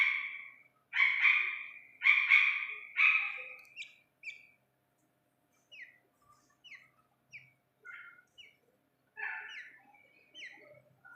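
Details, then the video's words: Iranian partridge chick uttering four loud, harsh, buzzy calls in quick succession, followed by a sparse scatter of short, thin chirps and a final cluster of rougher notes amid otherwise quiet surroundings. "ایرانی تیتر کے بچے کی اصلی آواز"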